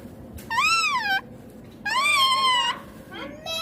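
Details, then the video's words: Pet green rose-ringed parakeet giving its natural voice: two long, drawn-out harmonic calls, the first slightly falling, the second held steady and bright, separated by a short pause, then a brief rising squawk at the end. "My Ringneck Green Parrot Natural Sounds / Natural Voice || Mithu Baat kar raha hain"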